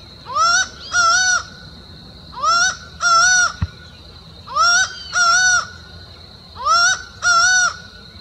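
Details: A laughing falcon along a trail near Uberlândia, Minas Gerais, Brazil, calls loud, nasal, ringing paired notes, a two-note phrase repeated about every two seconds, over a steady high insect drone.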